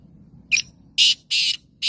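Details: Black francolin (Kala Teetar), of a Gangas or Sheedi nasal type. There are four harsh, scratchy calls: a short first note, then three loud, grating blasts spaced about a third of a second apart, over a steady low background hum.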